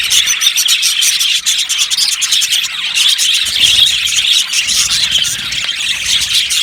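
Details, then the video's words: Many budgies in an aviary colony chirp at once: constant overlapping high chirps and warbling chatter forming a busy, unbroken chorus, with faint low background noise. "Budgies chirping sounds"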